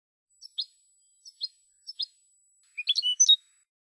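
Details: Goldfinch from a Spanish silvestrismo recording, CD Canton 12: three separated high double chirps, then a quicker tumbling phrase of tinkling, slurred notes rising and falling, in a quiet setting.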